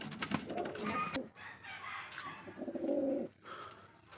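A Coca pigeon gives low, throaty coos over a background of rustling and loft noise.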